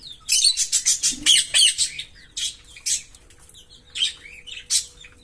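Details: Green Fischer's lovebird pair chirping and singing: a fast run of shrill, buzzy, high chirps packed closely for about a second and a half, then scattered squeaky notes and sharp chirps spaced roughly every half second.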